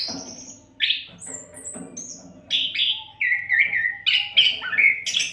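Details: Oriental magpie-robin giving nonstop song for tutoring songbirds: high thin whistles early, then louder rich whistled runs with descending slurs and rapid changes of pitch toward the close.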